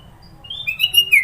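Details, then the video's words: Sooty-headed bulbul in Sidoarjo, East Java, delivering its varied song with many isian notes: a thin rising whistle leading into a string of high, sweet chirping notes that grow louder toward the end. "Burung kutilang suara isian banyak"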